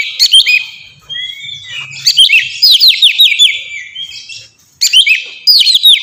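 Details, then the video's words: Oriental magpie-robin song, used to lure and train pet birds to sing: varied high whistled phrases with quick descending slurred notes and scratchy bursts, broken by short pauses. "suara burung kacer ngeplong merdu sangat ampuh buat pancingan kacer bahan bikin cepat gacor"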